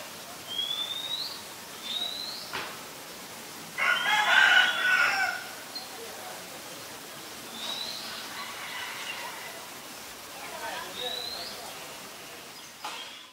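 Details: In Ubon Ratchathani, Thailand, 9 March 2022, a white-vented myna gives a short, loud, rasping burst amid repeated rising whistles and scattered chattering notes, with a few clicks and low background hiss.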